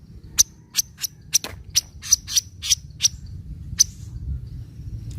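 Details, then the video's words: Javan kingfisher's 'nyecret' call, used as a lure for birds slow to call: evenly spaced, abrupt scratchy chips in a run of about four seconds, then quiet low rumble. "Pancingan Ampuh Kaso Kaso Nyecret Untuk Burung Kaso Kaso Malas Bunyi"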